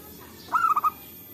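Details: Local zebra dove calling in the forest, recorded as a lure for trapping: one brief phrase of three or four quick cooing notes near mid pitch, the last two clipped and separate, over faint steady background hiss.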